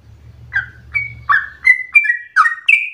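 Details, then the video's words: Sooty-headed bulbul in agitated, persistent song used as a trigger and tutor recording: spaced whistled notes, some flat and some falling, over a low hum that fades after the first second and a half. "Trucukan gacor ropel ngotot narung emosi"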